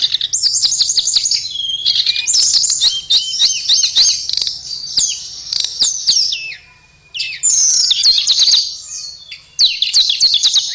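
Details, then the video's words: Blue flycatcher known as tledekan pours out a continuous high twittering song, quick chirps and sweeping whistles repeated in fast varied phrases, one short pause midway, faint low hum behind. "Kicauan Merdu TLEDEKAN"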